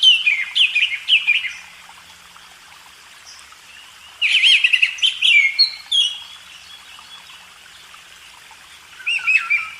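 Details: Oriental magpie-robin singing in a cage-bird training recording: three separate bursts of quick warbling whistles and chips, separated by quiet stretches of several seconds.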